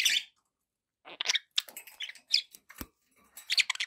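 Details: Pet budgerigars with background noise: irregular bursts of scratchy chirps and buzzy warbled notes, a short sharp click near the middle, separated by brief quiet gaps.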